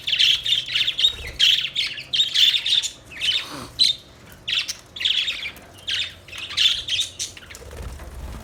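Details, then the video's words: Budgies chirping with rapid repeated bright warbling bursts, short buzzy chatter notes in quick clusters roughly every half second, continuous and lively throughout, close and clear against a quiet background. "Budgies Chirping Sounds Beautiful Parrot Sounds"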